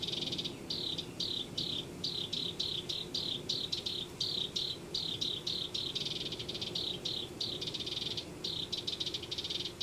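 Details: House wren at a nest in a Denver yard giving a long string of harsh, buzzy notes, about three each second in an even, insistent rhythm, over a faint background hum.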